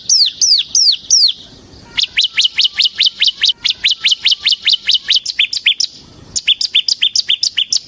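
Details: Semi-type bar-winged prinia singing in ngebren style as a lure and tutor for other prinias. Four high, downslurred whistles are followed by a long, fast string of sharp, evenly repeated chips, then a further chattering run.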